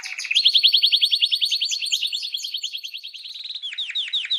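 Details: Canary song opening with a rising note into a long, fast trill of bright clipped notes, then shifting to slower, separate downward-sweeping whistles.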